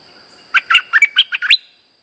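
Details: Lure song of a streak-eared bulbul for trapping birds: a lively run of seven bubbly chirps in about one second, ending on a higher upslurred note, a faint steady whine beneath.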